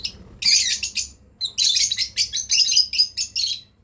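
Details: Breeding pair of lovebirds giving sharp, harsh high chirps in two bursts, each a quick run of buzzy notes, over a faint low hum.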